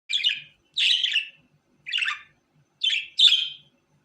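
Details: Pet budgerigar giving five separate harsh, scratchy chirps, each about half a second long, spaced roughly a second apart, with silence between and no other sounds.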